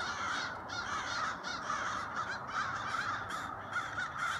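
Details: A late-autumn flock of crows calling together, a dense continuous chorus of harsh overlapping caws with no pauses.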